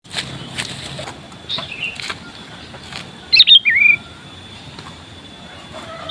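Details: Sooty-headed bulbul (kutilang), a common bird with a melodious voice: a short burst of bright, chirpy notes followed by a quick falling whistle midway, set against faint clicks, a steady high hiss and quiet outdoor background.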